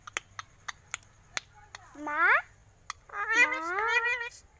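An Alexandrine parakeet gives two drawn-out, rising, voice-like utterances in imitation of human speech, after a series of sharp clicks and taps.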